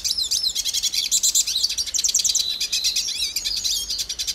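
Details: Hooded siskin of Brazil singing a long, rapid, high twittering song of buzzy trills and sharp slurred whistles, notes tumbling almost without pause.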